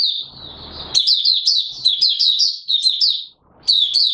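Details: Caged Mata Puteh Raja white-eye on 9 May 2022, song not yet in full condition: a sustained string of quick, high, looping chirps, then a short pause and a renewed phrase, light rustle at the start.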